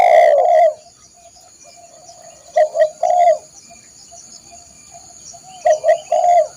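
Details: Spotted dove song, used as a model for training caged birds: an opening cooing phrase, then two more phrases of short hooting notes ending in a long drawn coo, against a steady high insect hum.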